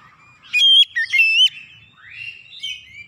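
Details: Oriental magpie-robin song used as a lure and tutor to draw a quick, lively response from other birds: loud clear whistles with sharp upward and downward jumps, then a softer rising, warbling phrase, with quiet low rumbling beneath.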